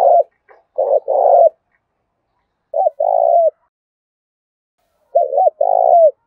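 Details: Spotted dove used as a decoy, big-voiced 'Thổ Đồng' style: three cooing phrases spaced about two seconds apart, each a short doubled note followed by a longer, drawn-out coo that dips at the end; otherwise quiet.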